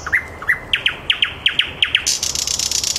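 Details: Thrush nightingale singing live at 21:30 in Käpylä, in the city of Helsinki: sharp rising notes repeated about three times a second, ending in a dense, buzzy, high rattle.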